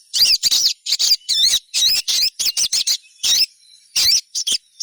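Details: Sogon sunbird chattering fast as a lure to get other birds singing: dense, buzzy, high-pitched chirps in rapid clusters with barely any pause, some notes sweeping and twisting.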